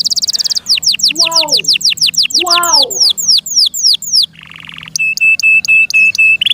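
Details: Canary kept by its owner sings rapid descending chirps over lower slurred whistled notes, then broad swooping notes, a buzzy burst and a regular series of sharp ticking notes.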